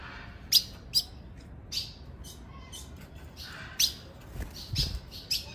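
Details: Female ultramarine grosbeak giving calls that excite males: quick, thin, high chips in loose clusters with gaps between, some fainter notes, and low background noise.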